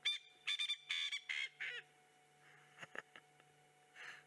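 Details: Male Coqui Francolin standing on a termite mound, calling close by, possibly a territorial call and attracting a mate: a rapid series of five loud harsh nasal notes in the first two seconds, then quieter scattered clicks and a faint distant note.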